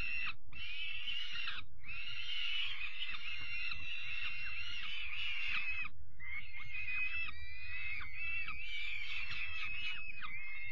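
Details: Peregrine falcon young being given dinner on 5 May 2021, calling with continuous grating screeches for several seconds, a brief break midway, then more drawn-out rasping cries over low background thuds.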